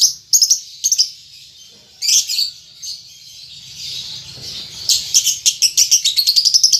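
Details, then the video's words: Juvenile lovebird, caged, learning ngetik and ngekek chatter. Scratchy chirp bursts give way to a long, rapid run of ticking notes that speeds up toward the end. "Lovebird Paud Baby Balibu Muda Belajar Ngetik Ngekek"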